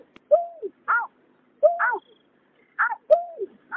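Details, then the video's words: Male and female greater painted-snipe calling, recorded in 2021 as a lure for night trapping of migratory birds: paired notes, a low arched hoot followed by a higher harmonic note, repeated about every second on a quiet background. "Tiếng nhát hoa, cà cuốc trống mái"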